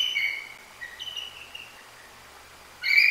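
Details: Bald eagle at a Decorah nest calling after being struck by a Great Horned Owl on its perch; a few thin high whistled notes, sliding down, then a pause and a sharp loud burst at the end.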